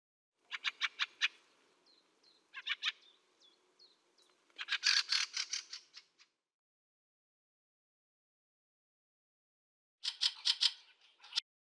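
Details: Fieldfare (Turdus pilaris) chattering in several bursts of rough, rattling notes with a few thin, high notes between them, then a pause and a final loud harsh flurry.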